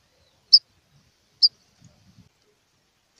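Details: Three sharp high chips, about a second apart, from a rufous-collared sparrow calling aggressively to set other birds singing, with a few soft low taps in between.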